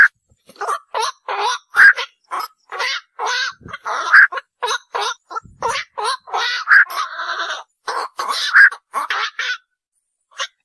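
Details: Black-crowned night heron chorus of hoarse, barking croaks repeated almost continuously for about ten seconds, irregular in rhythm and overlapping, before falling silent.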